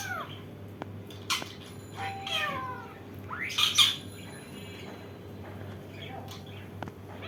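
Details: Indian ringneck parakeet letting out harsh, rasping squawks and swooping nasal notes, loudest in the middle, then falling quiet apart from a faint hum.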